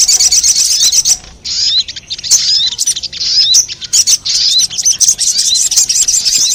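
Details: Sogon lure sound aimed at wild sogon: near-continuous high, shrill twittering with clicky chip notes and small rising whistles, briefly dipping in volume twice.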